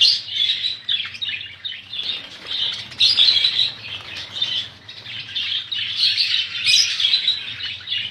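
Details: Crowded budgies give loud, continuous high chirping and squawking, with rustling wingbeats mixed into the steady chatter and a low hum behind.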